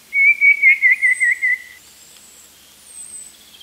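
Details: Eurasian blue tit: a quick series of about eight clear, wavering whistled notes on one fairly high pitch, lasting over a second, then quiet with faint distant high thin notes.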